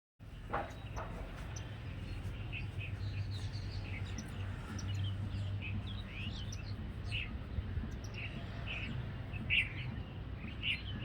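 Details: Jungle babblers, birds of gardens and large cities across the Indian subcontinent, giving scattered harsh chirping notes over steady low background rumble.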